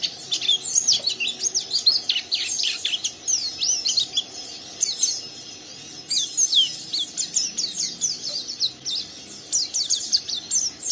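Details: Sustained rough ngeriwik singing by a young oriental white-eye drawing another caged bird into song; long runs of rapid, high, zigzagging chirps, pausing briefly midway before resuming.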